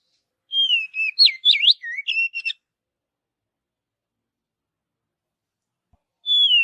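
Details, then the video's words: Oriental magpie-robin in forest, singing naturally: a two-second burst of clear whistles, a steady note dropping into quick zigzag slurs and buzzy chips, then silence before the next phrase begins. "Kicauan Kacer Alami Di Hutan"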